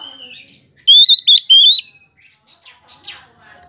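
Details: Oriental magpie-robin song meant to trigger responses from other magpie-robins: three loud, clear, level whistled notes in quick succession, followed by faint scratchy chatter.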